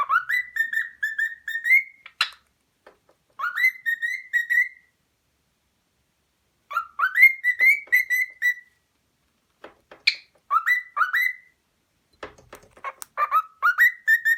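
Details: A 4-month-old cockatiel chatters in whistled, rising syllables that mimic the phrase "what are you doing?", repeated in short bursts.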